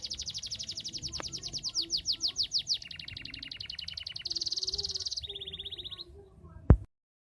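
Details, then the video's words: Canary in lively full song, used as a lure to get silent, lazy canaries singing: rapid high trills sweeping downward, then lower buzzy rolled phrases, a sustained high trill, and a final sharp click. "Suara kenari gacor, cocok untuk suara pancingan kenari macet dan malas bunyi"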